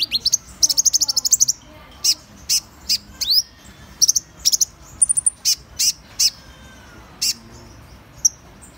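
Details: High trilled run of rapid thin notes from Van Hasselt's sunbird opens the phrase, followed by spaced, piercing single chips and a few slurred twitters, with faint low background hum.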